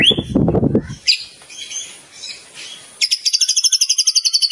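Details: Champion competition white-rumped shama in nonstop training-tape song: a low rumbling thump at first, then varied high whistled phrases ending in a rapid, even, high-pitched trill of repeated notes.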